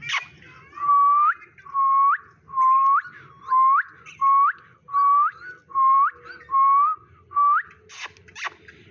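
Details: Pet Indian ringneck parakeet, a talking green parrot, giving a steady series of loud whistled notes: each is a flat tone ending in a quick upward hook, about nine in eight seconds, with faint background noise.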